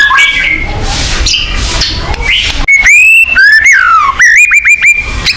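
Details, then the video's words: Selected white-rumped shama song played as a lure for pet shamas; muffled noisy opening, then clear ringing whistles, a falling slurred note and a rapid series of short sharp upswept notes. "pancingan burung murai batu agar bunyi"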